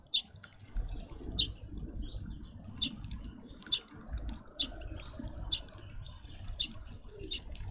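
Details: Young grey-headed sparrows demanding food from parents: short, sharp, high chirps repeated about once a second over a low rumbling background.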